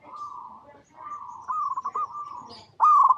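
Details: Cooing of a local zebra dove from Indonesia, in its natural habitat, used as a lure to make other zebra doves sing: drawn-out even coos, then choppy pulsed notes and a loud final coo.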